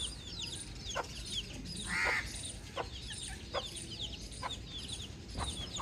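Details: Baby chick peeping outdoors, soft high downward-slurred chirps repeated irregularly, with one brief louder buzzy note midway against steady background hiss.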